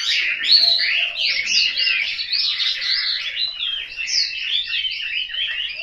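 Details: Home-kept Chinese hwamei in Hanoi pouring out a rich, continuous warble of looping whistled notes and slurred phrases, steady and loud.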